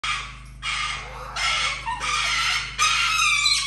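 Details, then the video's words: Parrot kept indoors in a house shared with other exotic animals and a dog, screaming: harsh, raspy broadband screeches in four long bursts over nearly four seconds, the last rising shriller, with a steady low indoor hum beneath. "A whole room of parrots is fun,one flying another screaming"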